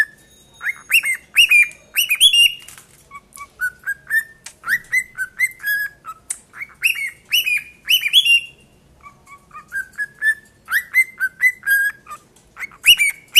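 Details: Two tame 7-month-old cockatiels (Nymphicus hollandicus) sing clear whistled phrases, with bright rising notes mixed with quick chirps and short trills.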